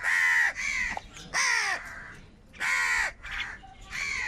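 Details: Loud, grating crow caws from birds fighting for food, four strong drawn-out calls with downward-bending tones, plus softer caws in the gaps.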